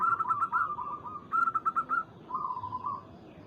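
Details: Local zebra dove calling a rival, used as a lure to rouse other doves: two bursts of quick, clipped cooing notes, the first longer, then a softer run of trilled coos over faint background hiss.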